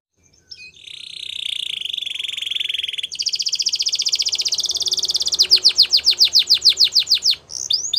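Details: Gloster canary singing for training, holding a long steady buzzy tone, switching to a faster higher rolled trill, then a sequence of loud downslurred whistles about three per second.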